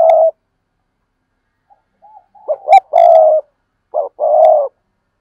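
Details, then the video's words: Repeated phrases from a spotted dove: a held low coo, quiet wavering notes, then two clipped notes leading into a long steady coo, repeated once more with a short note and a drawn-out coo. "cu gáy"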